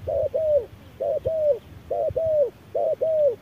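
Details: Wild spotted dove answering a machine decoy at harsh noon gives deep two-part coos. A brief note leads into a drawn-out, slightly falling one, four pairs evenly spaced about a second apart.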